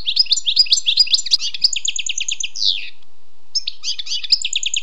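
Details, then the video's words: Wild European goldfinch song of rapid twittering notes, a repeated bright chirp series, and a downward slurred phrase, followed by a pause and another quick twitter. "Écoutez et appréciez le doux chant du chardonneret sauvage"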